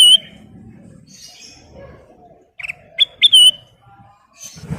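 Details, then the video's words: Kutilang emas singing actively with full filler repertoire: a high clear whistle at the start, then after a quiet gap two or three sharp slurred whistled notes close together near the three-second mark, over faint low background rumble. "Burung kutilang emas Gacor full isian"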